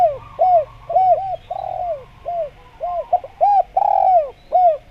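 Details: Busy cooing by a spotted dove used as a decoy sound for wild doves: a steady string of short arched hoots and two longer falling coos, delivered almost without pause.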